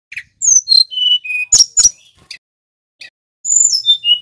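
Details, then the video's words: Snowy-browed flycatcher singing energetically, used as a lure to spur other songbirds into fighting form: high thin whistles and sharp chips in short bursts, a one-second pause, then sliding downward whistles. "Suara tledekan gunung gacor | Pancingan burung Sulingan bakau & sikatan laut supaya cepat fighter"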